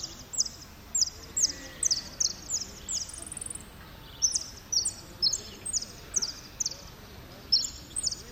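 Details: Third-placed saffron finch at a Merlo singing contest, 03/01/2016, giving repique song: long series of high, bright notes, each a falling slur, in rhythmic runs with short pauses, over soft background noise.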